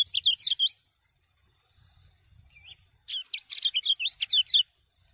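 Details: A common iora sings bright, high whistled phrases with quick slurred up-and-down notes, a burst, a pause, then a longer rapid twittering run. The owner says its song stimulates other birds to sing.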